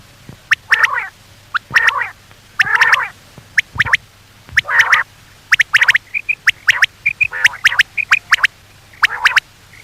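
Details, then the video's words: Common quail calling, a recording hunters play at night to lure quail: rasping nasal bursts alternate with crisp, rapid notes in short groups, and a few soft higher whistles sit between them over a low steady hum. "batair ki awaz for night batair ki new awaz 2023 بیٹر کی آواز صبح شام کے لیے"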